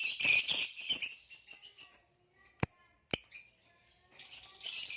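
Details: A ringed male green hybrid Lilian's lovebird sings in shrill, rapid chirps and raspy chatter, with a couple of sharp clicks or taps and short pauses between phrases.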